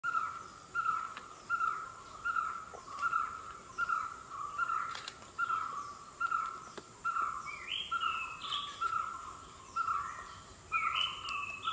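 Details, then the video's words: Oriental Dollarbird repeating a short, rough mid-pitched note a little faster than once a second, over a steady high insect hum and a few higher rising chirps. "The Dollar Bird"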